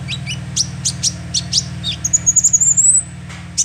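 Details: Young sunbird call used to lure birds: evenly spaced high chirps, then a thin, rising, rapid trill lasting about a second, ending with a last sharp chirp, all over a constant low hum.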